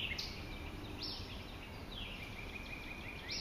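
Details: An Acadian flycatcher at Ocmulgee National Monument, Macon, Georgia, on 4 May 2012 gives sharp, high, upswept notes roughly once a second over a steady high insect whine and low rumble; White-eyed Vireo, Northern Cardinal and Red-bellied Woodpecker also present.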